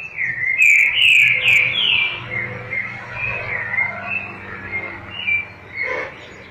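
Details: Double-collared seedeater song in the tui tui zel zel style: strong buzzy-whistled slurs at first, then a long string of softer wavering notes and a short final burst. The background noise is faint.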